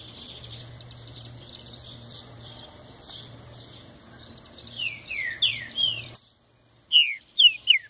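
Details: Green-winged saltator giving a few clear descending whistled notes late in the phrase after a stretch of faint background chirping and a low steady hum.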